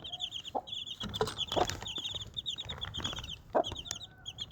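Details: Desi hen with her four young chicks; rapid high cheeping from the chicks fills the clip while the hen gives a few short low clucks amid light background rustle.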